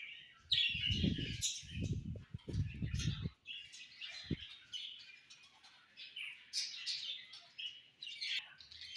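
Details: Budgerigars in the summer evening chatter continuously in quick, high, scratchy twitters, while low thumping and rustling noises sound in the first three seconds.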